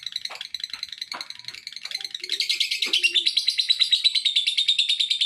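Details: Lovebird calling in a way meant to provoke other lovebirds into calling, a rapid run of buzzy chirps that starts scattered and then settles into a fast, steady chatter of about three notes per second.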